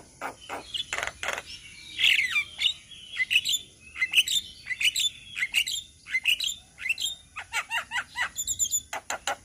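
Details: Chorus of Javan mynas in Indonesia, recorded for training songbirds: loud rasping squawks and slurred whistles at first, then quick regular runs of short chirps repeated several times a second.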